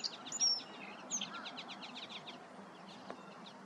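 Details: A song sparrow at Lower Sardis Lake, Panola County, Mississippi, on a sunny, cool morning of 19 November 2023 at 7:30 am, sings sharp, bright opening notes, then a fast run of repeated chips fading over two seconds, faint hiss.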